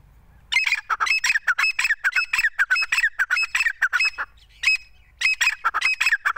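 A grey francolin calls in loud, harsh, rasping notes, repeated rapidly in runs with one short break before resuming; nothing else is heard.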